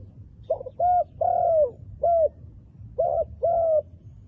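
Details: Wild dove with dark black plumage calls in a steady sequence of low hollow notes: a doubled start, a long sliding coo, a short note, then a pair of shorter coos, all fairly loud and clear.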